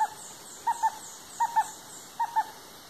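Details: A female Stresemann's bristlefront, the last of her kind, gives soft, mid-pitched whistled notes in pairs, one pair about every one and a half seconds, over a faint high insect hiss.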